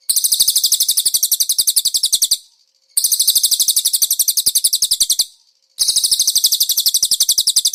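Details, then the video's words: Master recording of a konin singing cililin-style fill: three long bursts of fast, piercing, buzzy repeated notes, each about two seconds, separated by short silences. "MASTERAN BURUNG KONIN ISIAN CILILIN"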